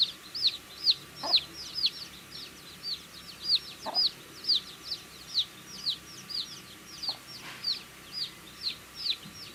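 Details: Baby chickens peeping while eating food: dense, high, rapid chirps, many overlapping downward-sweeping peeps from several chicks, with occasional soft pecking taps underneath.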